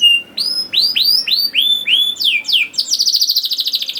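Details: Canary song played to coax young canaries into singing: a run of arched whistles repeated about three per second, dropping sweeps, then a fast rolling trill.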